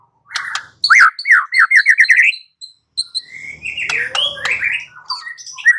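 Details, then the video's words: Lure song of a white-rumped shama meant to provoke a rival into answering. A quick series of rising, slurred whistled notes, a brief pause, then mixed scratchy and fluting phrases with sharp clicks. "Pancingan Murai batu 85% Jitu jadikan Murai batu NYAUT NGEPLONG"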